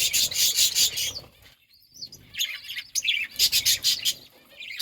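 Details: A parakeet chirps while eating fruit: rapid, harsh, high chirps in bursts of several notes with short pauses between, and a thin whistled note in the middle.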